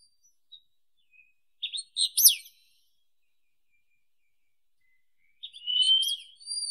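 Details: Wallcreeper (Tichodroma muraria) vocalising: a cluster of short, sharp high chirps, a pause of about three seconds, then more chirps running into a thin drawn-out whistle, otherwise silent.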